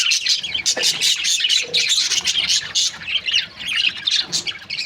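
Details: A chorus of budgerigar breeding pairs produces nonstop bright chirping and grating squawks, a thick, high, restless chatter throughout.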